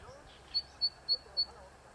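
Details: Zitting cisticola singing from an electric wire, the first heard this season: four short sharp high clicks spaced about a quarter second apart, faint against a soft outdoor background.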